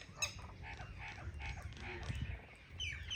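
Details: Crow that has come to eat grain in a village gives harsh, squawking caws in a quick series, roughly every half second, over low rumbling background noise and faint chirps from other birds.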